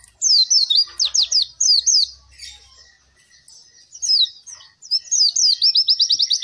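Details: Oriental white-eye song used to prompt and train captive birds reluctant to sing: fast, high, sweeping chirps in short jumbled phrases, ending in a rapid run of repeated notes, after a quieter pause.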